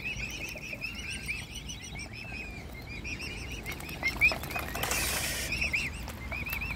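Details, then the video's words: Hand-fed mute swan cygnets calling hungrily in a family group: repeated thin, wavering peeps in quick bouts, with splashing and rustling around them. "Feeding all Cygnets by hand! And how hungry we were. Mute Swan Family."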